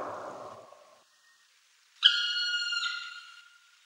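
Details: Black woodpecker giving a single drawn-out, clear, slightly harmonic call lasting about a second and a half, heard after a brief stretch of soft low rustling noise that fades into silence.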